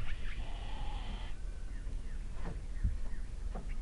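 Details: Little owl fledglings, two downy young recently out of the nest, begging while fed in the evening at Kalmthout, 11 June 2022; one rasping hiss of about a second with a faint tonal note inside it, then soft clicks and rustles.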